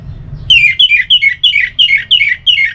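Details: Orange-headed thrush singing, a sound meant to stimulate other thrushes to sing: seven loud, clear, descending whistled notes delivered in quick even succession, roughly three per second, with faint low background hum.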